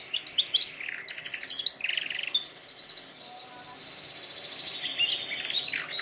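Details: Canary song meant for training canaries: fast high repeated notes for two seconds, then a long steady sustained trill fading softly before a few final chirps.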